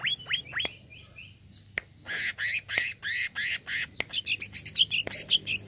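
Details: Greater green leafbird (cucak ijo) song, meant to stir up a kept leafbird. Downward-swept whistles open, then a pause, then loud harsh buzzy bursts, then rapid chattering high notes near the end.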